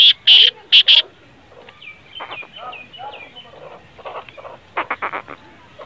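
Black francolin giving four loud, harsh, rasping notes in about one second, followed by softer chirps and clicks from other birds.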